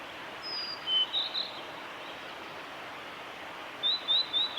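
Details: Male blue-and-white flycatcher singing on the Kanazawa forest road at Lake Miyagase on 25 April 2016: two short bursts of high, clear whistled notes, a thin opening whistle and then quick slurred notes, over a steady broadband background hiss.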